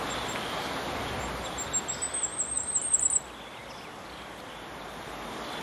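A firecrest gives a very high, thin series of notes that speeds up and grows louder over about a second and a half, over steady wind or distant traffic.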